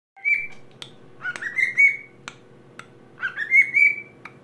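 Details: A cockatiel, singing to a plush toy, whistles a mimicked Addams Family tune: a clear high note, then two rising slurred phrases with sharp clicks between them, over a low indoor hum.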